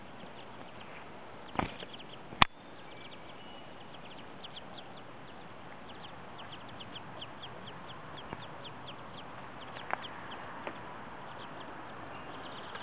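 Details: Ducklings on their first day after hatching, hatched early in the morning or late the night before: thin, high peeps repeated in quick, faint runs through steady background hiss, with a few sharp knocks and clicks.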